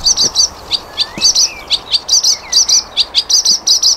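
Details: Flycatcher song used as tutor material for training cage songbirds: rapid high, buzzy paired notes repeated about three to four times a second, interspersed with short sliding whistles, over a soft background hiss.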